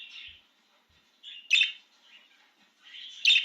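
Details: Excited pet budgerigar out of its cage, giving bright warbled chirps around a high pitch, with two sharp clicking accents among softer chattering phrases and short pauses between them.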